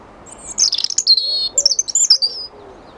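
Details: A European robin in London, arriving at food left out on a wall, sings a brief, high, liquid phrase of tumbling trills and thin whistled notes lasting about two seconds, over a quiet background hum.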